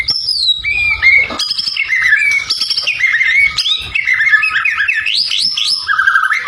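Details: White-rumped shama song used to rile rival birds: continuous, varied melodic whistles sliding between high and mid pitches, with quick warbled flourishes, loud and clear.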